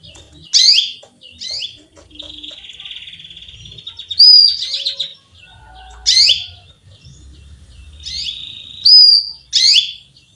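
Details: Female canary chirping to call a male, giving sharp downward-sweeping chirps in pairs, a long buzzy trill, and thin whistled notes, all high-pitched against a quiet room.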